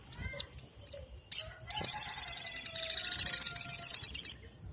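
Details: Sunbird performing a 'tembakan' rapid-fire song, prized as tutor material for small cage birds: a few short high notes, then a long steady shrill trill of rapid even pulses for over two and a half seconds.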